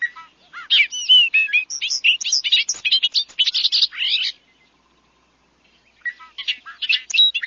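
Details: Bobolink (Dolichonyx oryzivorus) song, likened to R2-D2 robot noises: a bubbling, metallic run of rapid high blips and warbles lasting about four seconds, resuming after a short pause.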